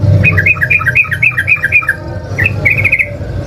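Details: Sooty-headed bulbul in fighting mood, singing to provoke rival birds into answering: a fast run of short bubbly warbled notes, slightly falling in pitch, then a brief pause and a second quicker burst, over a low steady hum.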